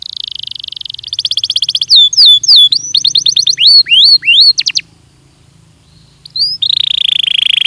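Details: Belgian canary training song: a buzzy trill, then quick repeated chirps and sharp looping whistles, a few seconds of quiet, then another sustained buzzing trill.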